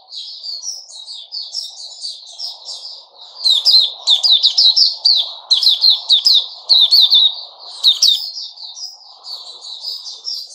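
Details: Sooty-headed bulbul kept caged, 10 July 2021, with a steady high twitter rising to an energetic, loud chattering passage in the middle before fading; soft low rumble underneath.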